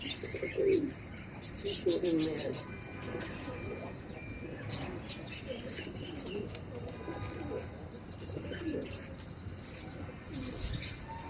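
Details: Pigeons in Bangladesh, being fed pathorkuchi leaves by a child, coo in low throaty rolls during the opening seconds, then fainter murmurs beneath rustling, clicks and occasional human voices.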